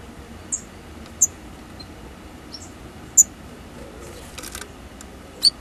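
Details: Daurian redstart fledglings leaving the nest for the first time: sparse, very high, thin chip notes spaced irregularly about a second apart over a faint steady background hiss, with a brief rustling burst near the end.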